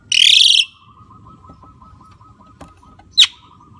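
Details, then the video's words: Javan myna letting out one long, loud, rasping squawk, then a single sharp note near the end, with a steady thin tone humming in the background. "Suara Burung Jalak Kebo"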